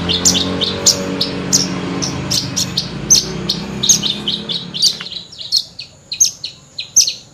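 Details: Horsfield's bush lark, a lark known to imitate other birds, in full continuous song: sharp high chips and short trills, about 78 notes a minute, over low background hum that fades midway.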